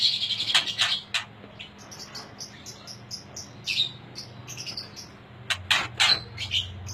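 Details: Top-quality Aceh white-rumped shama, known locally as murai aceh, delivering a varied run of short high whistles and chips with sudden clicks, low rumble and hum underneath.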